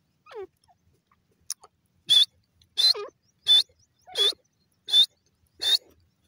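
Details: Francolin (teetar) calling: after a short descending whine, six loud, harsh, high-pitched notes repeat about every 0.7 seconds in a steady series. No other clear sounds.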